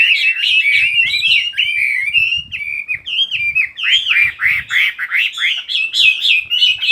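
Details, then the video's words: Fast, bright warbling song mixing smooth whistled slides with clipped chirps several times a second, over soft low rumbling noises in the background. "Chỉ có nghe chim hót là tâm hồn thanh thản nhất."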